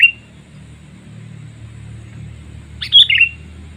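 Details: Sooty-headed bulbul lure call aimed at wild birds: a brief clipped note at the start, then a loud bubbly phrase near the end, over a steady low engine-like drone.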